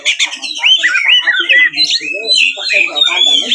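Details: Oriental magpie-robin, a kept songbird, giving a fighting song meant to provoke rival magpie-robins into singing and fanning their tails: loud, varied whistled phrases with rapid chattering, slurred rising and falling notes, delivered almost without pause.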